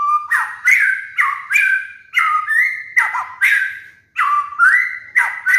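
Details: Master song of a cage-kept White-rumped shama for molting birds: rich warbled whistles with sharp upward sweeps, delivered about once per second in a lively continuous stream.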